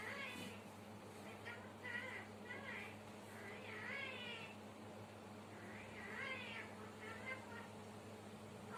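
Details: Talking parrot in Sri Lanka that counts and sings, giving a string of short harmonic, voice-like phrases with rising and falling sweeps, several in quick bursts over steady low background hum.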